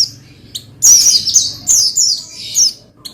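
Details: An Oriental white-eye, called pleci, sings to prompt another pleci into song: a dense, rapid warble of high, shimmering slurred notes running almost continuously for two seconds between faint single chips.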